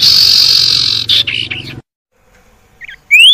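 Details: Common iora sound played to get reluctant caged birds singing: a long buzzy, hissing note with brief rough fragments, a pause, then a bright rising whistle.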